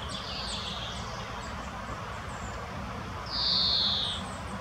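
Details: Female common chaffinch foraging at Munich's Botanical Garden, heard as one loud, clean, high whistled note that tapers downward, following a fainter similar note, with scattered high tweets from other birds.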